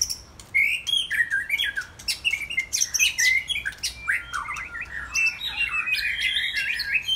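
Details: White-rumped shama singing, Saturday afternoon: busy sequence of sharp clicks mixed with chirpy whistled notes and down-slurred phrases, delivered in rapid bursts that fade slightly near the end.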